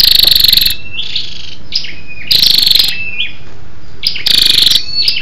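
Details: Scarlet-backed flowerpecker female calling to spur males: three harsh, fast-pulsing bursts about two seconds apart, interspersed with sharp high chirps and thin whistled notes.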